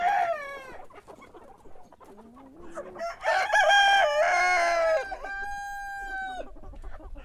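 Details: Morning cock crow. A short call opens, a low murmur follows, then a loud, buzzy crow of nearly two seconds ends in a long, steady, drawn-out final note.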